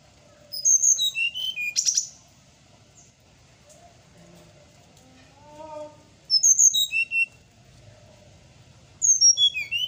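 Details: Morning song of a bird used for training pet birds: three rapid cascades of high whistled notes dropping in pitch, roughly every four seconds, separated by quiet stretches holding soft lower warbles.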